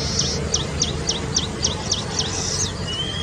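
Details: Baya weaver recorded near Kapra Lake, Hyderabad, on 2 October 2020: a rapid series of high, hooked chirping notes about three per second, ending in a longer drawn-out note, over a steady low background hum.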